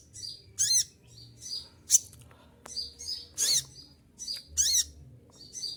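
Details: Caged olive-backed sunbird singing while in moult: about six loud, high piercing bursts, irregularly spaced and mixed with softer twitters, over a light background hum.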